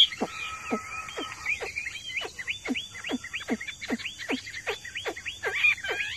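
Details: Courtyard-kept Hwamei in a cage, joining in after other birds call: quieter whistled notes mixed with a rapid series of sharp downward-swept strokes, roughly two per second.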